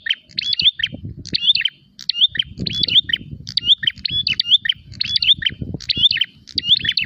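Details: Prinia challenging a rival: bursts of high, sharp, twisting chirps recur at an even pace, with a short pause near two seconds and a low background rumble throughout.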